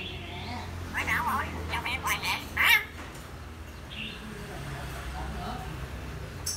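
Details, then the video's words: A common hill myna mimics a phone ringtone and car horn in a quick run of harsh, buzzy bursts, then a single clear whistle, in a small quiet room. "Làm tiếng chuông điện thoại, tiếng còi xe hơi, ... - Chim Nhồng"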